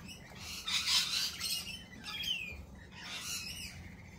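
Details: Lorikeets at a cafe giving shrill, harsh screeches in bursts, the loudest around the first second and a half, with a downward-sliding squeal near two seconds and further scratchy calls later.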